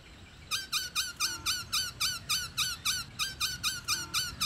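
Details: Female black-throated laughingthrush calling to stimulate males to sing: a fast, steady series of about fifteen bright, rich-toned notes, each with a quick bent inflection, repeated roughly four times per second over a faint low hum.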